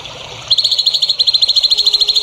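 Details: Songbird in a training recording (masteran) for young contest birds: after half a second of quiet, a fast, even, high buzzy trill of rapidly repeated notes runs steadily to the end.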